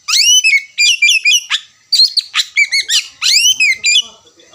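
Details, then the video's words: Oriental magpie-robin in full ngerewek song, loud, nonstop sequence of bright downslurred whistles, trills and sharp chips in rapid rhythmic phrases, ending in softer twitters. "Pancingan kacer berkicau, memulai ngerewek kicau"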